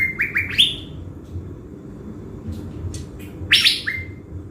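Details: A caged blue-winged leafbird used as a decoy in Bình Thuận, Vietnam, opens with a quick run of rising whistled slurs, then light ticks and one harsh burst with a trailing whistle, over a soft low hum.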